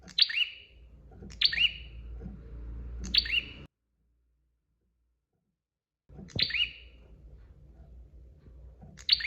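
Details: Bar-winged prinia master recording with five sharp chirps, each a high note falling to a lower whistle, repeated about every one and a half seconds, broken by a silent gap of about two seconds.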